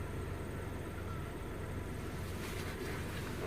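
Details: Low, continuous rumble of distant traffic or machinery outdoors, swelling slightly near the end, with no animal sounds.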